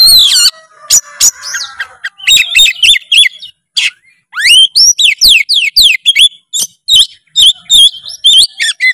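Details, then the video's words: Oriental magpie-robin song used as a tutor recording to set other magpie-robins singing: loud, varied, high whistled phrases with sharp rising and falling notes and rapid chattering bursts, separated by short pauses. "masteran kacer gacor full isian kacer langsung gacor denger suara kacer satu ini"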